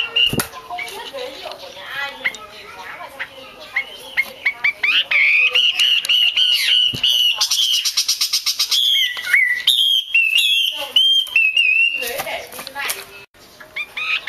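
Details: Chinese hwamei female, played for keepers to stimulate males to sing, starts with soft mixed chatter, builds into repeated clear whistles, a rapid rattling trill, then falling slurred whistles.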